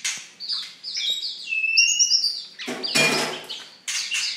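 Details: Oriental magpie-robin, a fierce songster, singing long sustained whistles and trilled notes, then loud harsh rasping bursts toward the end.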